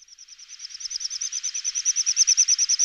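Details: Little bustard (Tetrax tetrax) call: a fast, even run of high, dry rattling pulses, about nine per second, growing steadily louder over three seconds.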